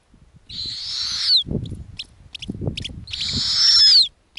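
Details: Snowy owl family at an Arctic nest, mother feeding lemming to growing owlets: two long, harsh, hissing screeches about a second each, dropping at the end, likely from owlets, with soft low thumps and faint clicks between.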